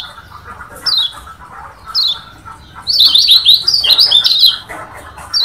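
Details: Lombok yellow white-eye from Lombok singing a song variation meant to rile opponents: high, sharply down-slurred whistled notes at about one-second intervals, then a quick rambling burst of bright twittering warbles in the middle.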